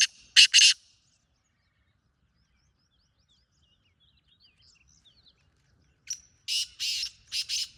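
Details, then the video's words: Wild black francolin giving rough, rasping calls: a quick pair of loud grating notes at the start, a long quiet gap with faint distant chirps, then a closing series of four harsh buzzy bursts. "Jangli teetar ky nzary"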